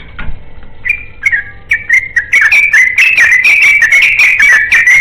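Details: Yellow-vented bulbul in 'ropelan' song, calling out to find a companion. Spaced, clear whistled phrases at first, then a dense, fast, liquid warble of rising and falling notes that carries on to the end, with a low background hum.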